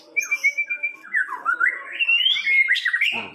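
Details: First-place songbird contest winner, a white-rumped shama, pours out a varied run of clear whistles, slurred rising phrases and fast chattering notes, climbing in pitch toward the end.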